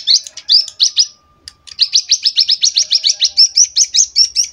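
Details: A captive young prinia just over two months old, being tutored from recordings, practises a copied song: a rapid, steady run of high, sharp chipping notes, about two or three per second, with one brief pause.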